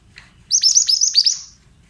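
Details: Single fast phrase from a pied bushchat used to coax untrained birds into answering: about seven bright, high whistles, each sliding sharply downward, delivered in about one second over a quiet background.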